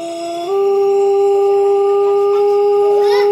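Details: Pelung chicken, a rooster crowing in a quiet setting: a long, steady, drawn-out note that steps up slightly after half a second and holds level for three seconds, loud and clear.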